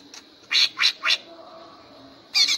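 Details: Greater green leafbird, a contest bird being trained to sing in the energetic ngentrok style: three loud harsh squawking bursts in quick succession, a pause, then another burst, with faint background hum.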